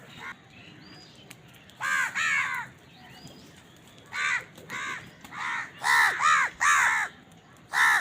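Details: Crows squabbling over food give repeated raspy caws in pairs and triplets, quickening toward the end with overlapping calls from more than one bird.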